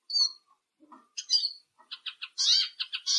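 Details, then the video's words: Singing Eurasian siskin, quieter and broken up: sparse soft chirps and a few lower notes, then a thin high whistle, clusters of buzzy twittering notes and a brief wheezy burst. "EURASIAN SISKIN SONGS Spinus Spinus Singing"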